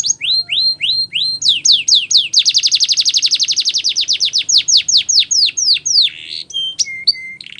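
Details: Canary training song, said to be Spanish Timbrado style: repeated falling whistled sweeps about four per second, then a fast dense buzzy trill, more descending notes, ending in short sustained high tones.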